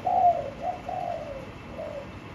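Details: Short burst from a caged spotted dove, blue cage bottom: a louder opening coo followed by three softer, drawn-out descending notes.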